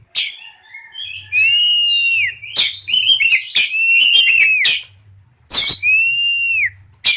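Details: Singing Oriental magpie-robin in breeding condition, delivering a lively run of varied chirps and rattling notes mixed with long, clear, slightly arching whistles that drop at the end, plus loud harsh broadband bursts.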